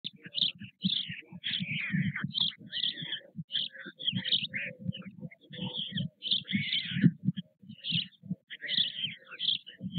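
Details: White stork chicks begging at their nest at Nové Mlýny, Czech Republic, on 6 May 2024 while the parents feed them: harsh, nasal, high calls in rapid bursts over low throbbing pulses, with short pauses between bouts.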